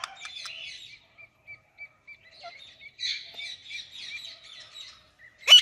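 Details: Indian ringneck parakeet chirping alongside an Alexandrine parakeet: a run of short, bright, evenly spaced chirps, then denser clusters of twittering notes, ending in one sharp loud squeak.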